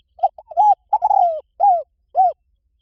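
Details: Decoy coo of a spotted dove, used to attract wild doves: a few quick introductory notes, a drawn-out falling coo and two clear arched coos, evenly spaced and noiseless.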